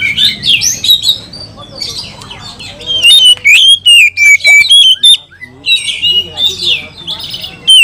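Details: Oriental magpie-robin (kacer) in agitated, over-excited 'kanibal' style, meant to stir other magpie-robins into singing: loud, rapid run of whistled and scratchy high notes, sliding and varied, with short bursts repeating in quick succession and faint low murmuring beneath.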